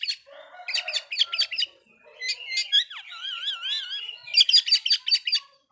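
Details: Oriental magpie-robin song meant to provoke rival magpie-robins: bursts of sharp repeated chirps, then a rising whistle, a wavering warbled phrase and more rapid stacked chirps.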